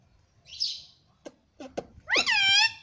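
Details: Captive rose-ringed parakeet speaking the word mummy: a soft breathy hiss and a few taps lead into a bright, wavering, harmonic spoken syllable at the end.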